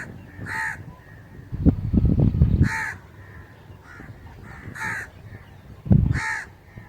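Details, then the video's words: Crow repeating loud, harsh caws roughly every one to two seconds, some paired with softer follow-up caws, amid intermittent low rumbling and clattering noises. "Crow's Crowing Sound Effect"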